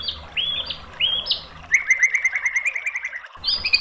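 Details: White-rumped shama song used as a master recording to provoke other shamas into answering: short rising whistled phrases, then a fast run of sharp, evenly spaced chipping notes, ending in bright high whistles.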